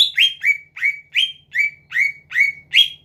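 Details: Greater green leafbird in captivity repeating one rising, whistled note roughly three times a second, a steady provoking phrase to trigger singing in rival leafbirds; low hum faint behind.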